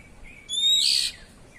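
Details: Oriental magpie-robin (kacer) giving a harsh 'cier' call in ngeplong style: a short whistled note sliding straight into a loud, broad, rasping burst lasting about half a second, over a quiet background.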